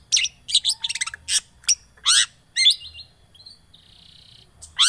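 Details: Lure recording of a long-tailed shrike for a bird that has stopped singing: harsh broad chirps and a quick chattering trill, then a soft thin whistle and a drawn-out buzzy note.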